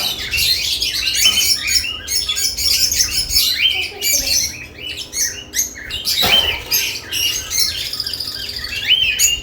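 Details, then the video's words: A flock of lovebirds given nest boxes keeps up a dense, busy chatter of high scratchy chirps with hardly a pause, a sharp knock midway, and a low background hum. "Lovebirds add nest boxes activity & chirping sounds"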